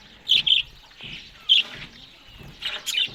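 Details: Separate bright chirps from Australian budgerigars eating green food in the morning, coming in short pairs and single notes with quiet gaps between them.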